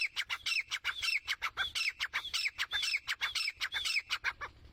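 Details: Female grey francolin calling: a rapid, rhythmic series of loud, sharp, ringing notes with rising and falling inflections, repeated steadily throughout with no other sounds.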